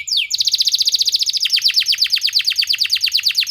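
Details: Canary song used as a therapy sound for training canaries: a fast, high trill of sharply repeated downward-sweeping notes, about twelve per second, switching midway to a second trill of longer, deeper-swept syllables, clean with no other sounds.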